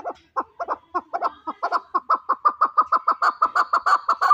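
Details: Loud, close chukar partridge kept for fighting: rhythmic chuck-chuck calls that quicken and merge into a rapid, ringing, even series, about three notes a second.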